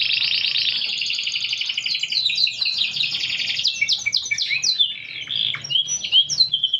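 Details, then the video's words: Canary singing a long gacor song with unique cengkok: a sustained rapid rolling trill that breaks into quick varied chirps and sweeping whistled notes, continuous and loud over a faint low hum. "Burung Kenari Gacor Cengkok Unik"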